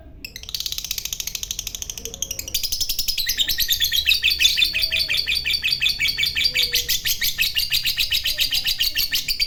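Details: Long ngekek chatter from a fighter lovebird, a song meant to rile other lovebirds: a brief start, then a dense, unbroken stream of shrill, buzzy trills that swells in strength and runs on for several seconds.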